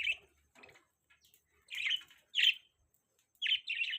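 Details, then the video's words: Budgerigars chirping in a quiet room: short, scratchy chirps in bursts about half a second long with brief pauses between them. "Budgies Beautiful Sounds"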